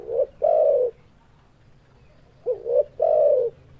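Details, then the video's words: Repeated cooing of a spotted dove: a quick rising hoot leading into a long, even, throaty coo, then after a pause two short upswept notes and another sustained coo, against quiet low background noise. "Suara Burung Tekukur"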